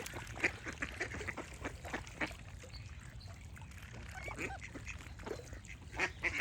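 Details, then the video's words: Ducks quack in an uneven series of short, raspy calls, some louder and closer, with gentle background bird chirps and a low hum. "Cute Duck Quack Sound Effects with Birds Singing"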